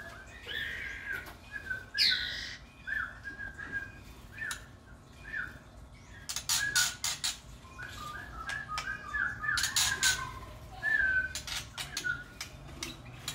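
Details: White-rumped shama chicks being fed by their parent in an aviary give rapid, scratchy high chirps and squeaks in excited bursts, with a faint whistle from an adult.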